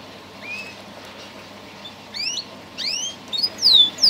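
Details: Canary of a singing breed gives a few spaced rising whistles, growing louder toward the end with sharp slurred notes.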